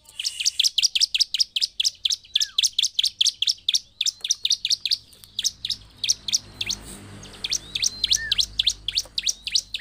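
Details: Gacor song of a bar-winged prinia, played to stir other prinias into anger. Dense volleys of very high, sharply falling chips come in rapid succession, easing slightly in the second half.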